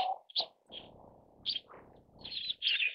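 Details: Siberian white crane calls, short high bright notes and a closing wavering phrase, over a steady low rumbling background.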